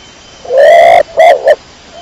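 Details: A single cooing phrase from a kecor domestic pigeon: one long, even, throaty coo, then two quick short notes, loud and clean against a quiet background.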